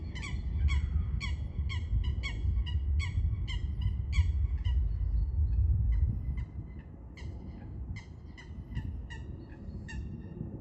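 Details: Coots during a fight, among other birds on a river: rapid series of short, sharp, harmonic notes, about three per second, loud for six seconds and then softer and sparser, over a steady low rumble.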